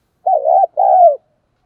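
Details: A loud, clear two-part coo from a decoy spotted dove used to lure wild doves: a wavering first note, a short break, then a longer, smooth, slightly falling second note.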